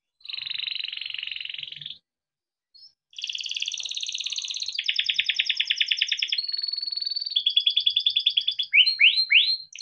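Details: A timbrado canary sings for training: a buzzy trill, a short pause, then a chain of rapid rolling tours, each a fast pulsed repeat, finishing with a few quick rising swept notes.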